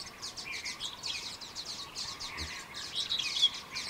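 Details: Common waxbills (Estrilda astrild), escaped cage birds in Kaohsiung, Taiwan, 18 January 2018, give a steady flock-like chatter of thin, high overlapping chips and tweets over faint background hiss.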